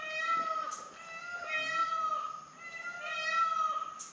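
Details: Indian peafowl at a guesthouse near Dambulla, Sri Lanka, giving loud, nasal, cat-like wails: three drawn-out notes roughly a second apart, with faint background noise.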